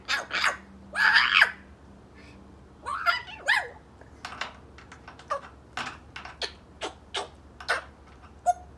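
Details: Eight-month-old male African grey parrot chatting indoors: bursts of raspy, noisy squawks early on, then a rapid series of short clicks and chirpy ticks through the rest.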